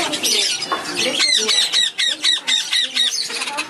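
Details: Baby black-headed caique, a shop bird about a month and a half into hand-feeding, recorded 2011-05-15; a man's speech at first, then rapid harsh descending squawks repeated about four per second.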